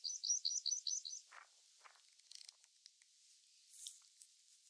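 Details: A meadow pipit on the moor gives a quick run of thin, high 'sip' notes over about a second, then a few fainter scattered notes in an open, quiet setting.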